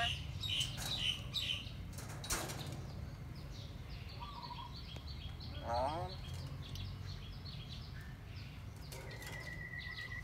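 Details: A pet talking myna gives bright chirps, a short whistle and a quick slurred run of notes with some speech-like sounds, over low background rumble and wing flutters.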